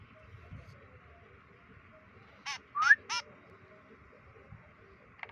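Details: White-breasted woodswallow (kekep) in free-flight training, day 25: three harsh, buzzy nasal notes in quick succession with a short bright upslurred whistle among them, over a steady background hum.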